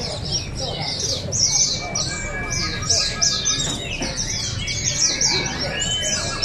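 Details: At a Sarawak open singing competition in Balingian, 2023, several oriental white-eyes pour out fast, high, tinkling twitters of slurred notes, overlapping constantly, while thin sustained whistles and quiet voices sit beneath.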